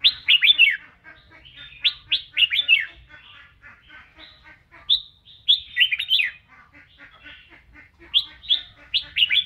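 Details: Singing, dancing red-whiskered bulbul during voice training, pouring out rapid bursts of bright, slurred, up-and-down whistled notes, several phrases back to back with brief pauses, against a quiet background.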